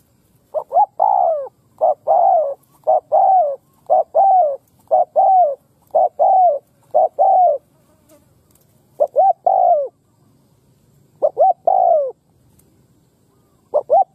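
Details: Spotted dove, a bổi bird, cooing in a mixed thổ and cấn sấm style. Loud, clear hollow coos come in quick groups of two or three rising-falling notes with short silent gaps, on a quiet background.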